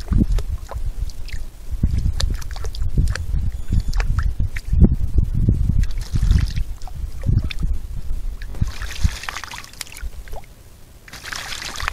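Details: Only water is heard, sloshing and trickling, with low rumbling handling noise and a few splashy bursts, and no animal calls.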